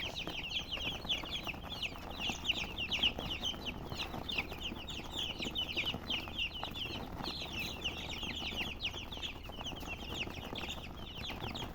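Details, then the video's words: Colored chickens (murgi) chirping: a dense, continuous chorus of many overlapping high, short downward-sliding peeps that never pause, over a low background rumble. "silly chicken chirping sounds with murgi hen color chicken"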